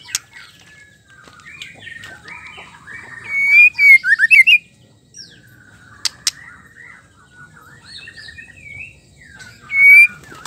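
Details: Female white-rumped shama singing to provoke males into song: rich varied whistled phrases with fast bursts of sharp rising notes in the middle, scattered clicks, and a loud clear whistle near the end.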